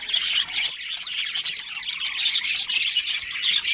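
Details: Budgerigar colony with a breeding pair: bursts of shrill chirps and warbling chatter, with brief clear whistled notes standing out among overlapping birds.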